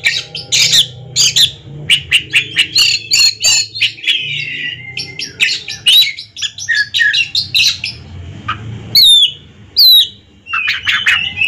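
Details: Two ringed Oriental magpie-robins in a song duel: a dense, varied stream of loud whistles, sharp chirps, buzzy notes and rising slurs in quick bursts, with faint low background hum.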